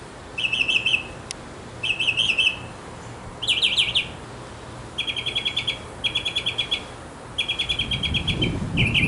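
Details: Male mockingbird in a backyard, singing for several minutes to win a female: varied phrases in short bursts, each repeated several times, rapid trilled notes, then a run of clipped chattering repeats, with brief pauses between phrase types.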